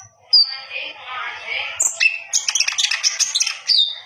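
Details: Common iora in full song, bold enough to puff up and display, kept as a master recording for training: a sharp whistle, a raspy buzzing stretch, then rapid scratchy chattering and a final whistled note.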